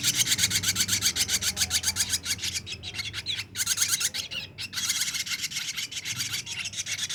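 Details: Ashy drongo chick aged 23 days giving harsh, rasping, hissy calls in a rapid steady series of about four per second, with two brief pauses, over a low background hum.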